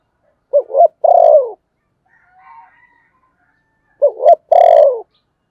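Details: A spotted dove repeats its phrase twice, about three seconds apart. Each phrase is a quick double coo followed by a drawn-out falling coo, with a faint twitter from another bird between them.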